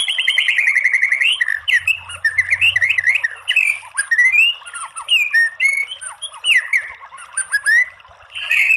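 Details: White-rumped shama giving gacor masteran song, a varied stream of loud whistled phrases, slurred up-and-down notes and quick twitters tumbling over one another without pause for almost nine seconds.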